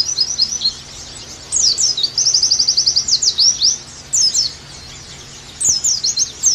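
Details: Oriental white-eye song from a recording meant to coax pleci back into lively singing: high, rapid bursts of thin chirping notes, including a fast even trill, broken by short pauses.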